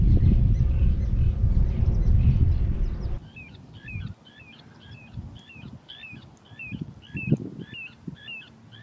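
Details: Little ringed plover (Charadrius dubius) on a fine morning at the Rhine delta on Lake Constance, whistling in flight: a rapid series of short, high notes, about three or four a second, after wind rumble and handling noise.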